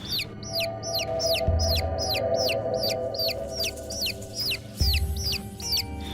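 A chick peeps over and over, loud high falling notes about twice a second, over a low steady hum.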